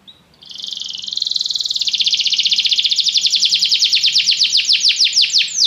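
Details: Training song of a canary, played to make a canary sing at once: one short note, then a long, rising-in-volume rolling trill that grows into distinct rapid pulses, continuing for several seconds.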